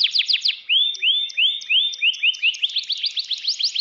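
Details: A caged canary in full song: fast trills of clicky downward notes, then a run of smooth rising whistled slurs repeated about every half second, closing in quick bright trills, with no background noise.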